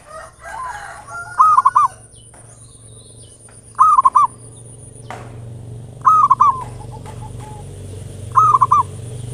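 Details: Local zebra dove song meant to provoke other doves, ngayer nulop style: four short stuttered coo phrases evenly spaced about two and a half seconds apart, over a low rumbling hum and faint background noise.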